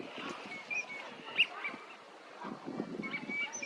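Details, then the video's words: Wintering Eurasian teal in a park pond in Chiba, Japan, February 2025, give short, high, clear whistled notes, scattered unevenly, over a low murmur of other waterfowl. "コガモの鳴き声 (Anas crecca) - カモの鳴き声 / Eurasian Teal sounds"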